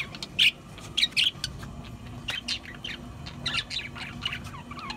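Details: Pet budgerigars chattering with sharp high chirps, a loud burst early and a pair of notes at one second, then softer twittering and warbled notes toward the end.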